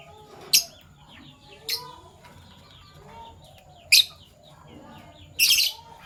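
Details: Fischer's lovebirds, one PB violet and one euwing gold opaline, in the morning: four abrupt, shrill chirps spaced irregularly, the last one longer and raspy, over a low murmur of faint chattering notes.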